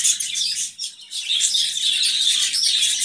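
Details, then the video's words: Budgerigars calling, likely a group, with dense overlapping chirps and warbles in a continuous high chatter, dipping briefly near one second before resuming, over a faint low hum. "বাজিগর পাখি ভাইরাল ভিডিও"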